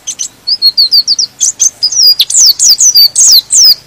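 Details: White-eye singing in a way said to stir other white-eyes to sing: quick high, thin whistled notes repeated three times a second, building into denser, overlapping twittering phrases of sliding chirps.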